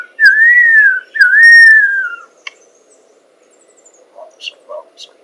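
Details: A lyrebird mimicking man-made sounds, possibly a car alarm, gives two long, clear swooping whistles, each rising then falling. A few faint clicks and chips follow.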